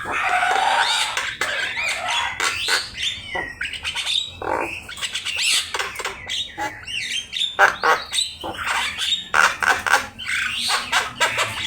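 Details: Javan myna (jalak kebo) in full, constant 'gacor' song, a master recording meant to teach birds to sing: loud, rapid, varied run of harsh rasping squawks mixed with short bent whistles, bursting several times a second.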